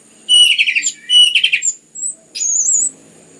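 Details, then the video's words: Song of orange-headed thrush meant to stimulate other birds into singing: two rich warbled phrases of quick slurred notes, then a high thin whistle and a drawn-out wavering whistle, over faint low background hum. "PANCINGAN anis merah ngeplong gacor rapat cocok untuk MERANGSANG bunyi tambah GACOR"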